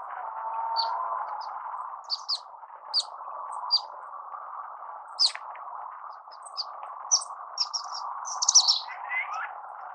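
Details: Orange-cheeked waxbill (Estrilda melpoda) singing: scattered short, high chirps and thin notes, with a brief clustered burst near the end followed by a lower sliding note, over a steady low hum.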